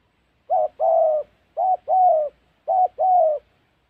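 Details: Spotted dove calling in Gia Lai, Vietnam's Central Highlands, during dove trapping: three paired low coos, each a short clipped note followed at once by a longer, slightly falling drawn-out note, repeating about every second against a silent background.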